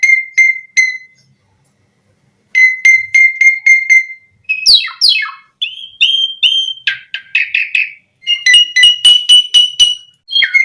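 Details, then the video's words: Asian pied starling song, used to prompt starlings into singing: series of short identical clear notes repeated rapidly, a sweeping descending rasp, then chattering phrases and more note series. "Suara Jalak Suren Memancing Burung Jalak Biar Cepat Full Isian Mewah"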